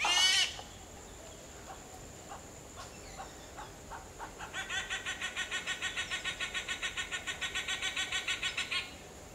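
A grey hornbill's harsh opening squawk, then a fast cackling series of about five notes per second. A steady high insect whine runs throughout.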